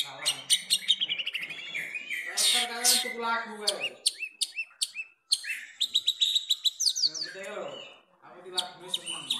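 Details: A captive long-tailed shrike (pentet) sings a fast, varied jumble of sharp chirps, rapid trills and harsh rasping notes with mimicked phrases mixed in, possibly with faint speech.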